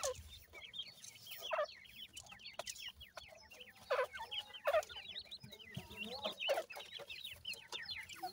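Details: Twenty-eight-day-old francolin (teetar) chicks feeding in a yard: many thin, high, downslurred peeps overlapping in a busy chorus, with sharp pecking clicks and soft low background rumble.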